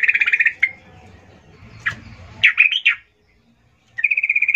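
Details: Female yellow-vented bulbul calling to males, used as a lure: a steady buzzy rattle of rapid notes, then a few bubbly chattered phrases and a renewed rapid rattle after a brief silence; low electrical hum underneath.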